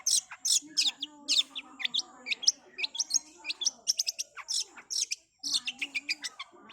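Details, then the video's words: Cendet in lively, varied song: quick sharp chips, downslurred whistles and squeaky notes tumbling together with barely a pause, and a soft low trilling underneath. "Cendet Super Speed"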